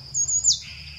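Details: Singing Somali tit, a scrub specialist found after some difficulty, gives a level high whistle that breaks into a quick descending slide and trails off lower, with a constant high-pitched hum behind it.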